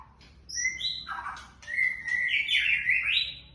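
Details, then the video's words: Brief soft "trakk" phrase from a young white-rumped shama: a few high whistled notes, a short burst, then a long buzzy rising warble lasting over a second. "Trakk tipis” murai muda"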